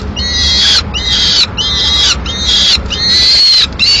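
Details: In Madrid on 22 May 2016 a lone Peregrine falcon chick demands the swift the female is eating. Fast run of piercing, scratchy screams, five or six in four seconds, with brief gaps.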